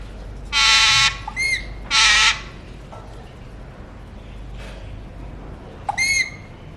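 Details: Pet Alexandrine parakeet of a mutation form, known as a talker, uttering two loud harsh broadband squawks followed by short whistled notes, then quiet room hiss and a final brief squawk with whistle.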